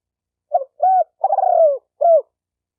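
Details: Spotted dove giving a clear cooing phrase: a short note, a rounded coo, a longer rolling coo that falls in pitch, and a final coo, in a quiet setting.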